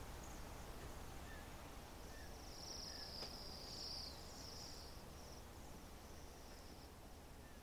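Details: A flock of Cedar Waxwings feeding in a crab apple tree give thin, very high, buzzy seee notes, strongest in a drawn-out run midway, over a steady low rumble of background noise.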